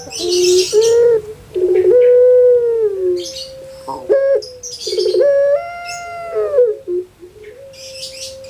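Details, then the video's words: Puter pelung kept as a pet in Java, Indonesia, voice said to resemble a crying baby: repeated gruff stuttering starts lead into long nasal tones that sag and fall, with bright chirps from other birds in between. "KAGET PARAH DENGAR SUARA BURUNG INI SEPERTI ANAK MENANGIS"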